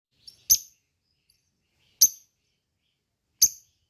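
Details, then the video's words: Lovebird used as a lure to provoke other lovebirds into answering: three short, sharp, high chirps spaced about one and a half seconds apart, with silence between them. "pancingan lovebird ini bikin semua burung lb diam langsung nyaut ikut ngekek"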